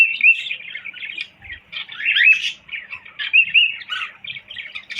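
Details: Pet cockatiel whistling: a continuous warbling chatter with short rising whistled slurs recurring every second or so, steady and fairly loud, in a quiet room.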